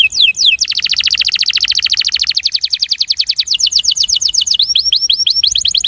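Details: Breeding male canary giving attraction song, a long rapid trill of high clipped notes that slows into separate downslurred whistles near the end.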